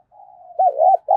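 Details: Spotted dove coo, used to make doves call faster: a brief low hum rising into a loud, wavering two-part coo, with a sharp click at the very end.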